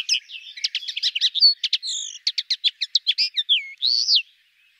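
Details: Common linnet, a small brown finch with a rosy breast, singing a rapid, continuous twittering song of dry trills, buzzy notes and a few slurred whistles, its gentle chatter running unbroken for about four seconds.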